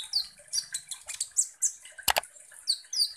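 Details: Kolibri ninja sunbird singing as a lure for provoking other birds. The song is a rapid run of high chirps and slurred whistles, broken once by a sharp loud click.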